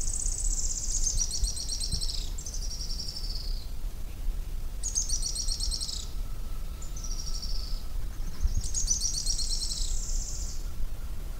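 An Araucaria tit-spinetail gives very high, fast, dry trills that slide slightly downward. Each lasts about a second and repeats in bursts over a low rumble of background noise.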